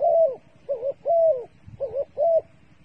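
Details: A dove used as a trapping decoy gives five soft, low cooing notes, each slightly wavering and under half a second, spaced about every half second, with faint rustling beneath.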